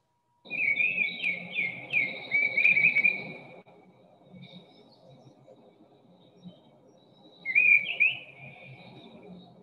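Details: Mistle thrush (Turdus viscivorus) song: short, loud, strident fluted phrases at a steady pitch with little modulation, pausing between them, over a low background hum.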